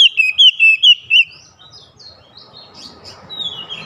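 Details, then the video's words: Oriental magpie-robin challenging a rival: five loud, high whistled warbling notes in quick succession, each sliding up and down, then fading into faint twitters and low background murmur. "PANCINGAN KACER LANGSUNG GERTAK LAWAN | LAWAN PUN BALAS GERTAK GACOR BONGKAR ISIAN"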